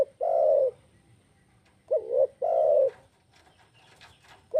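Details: Spotted dove coo: long smooth hooting note, then a wavering short double coo and another long note, with light background hiss and faint higher noises.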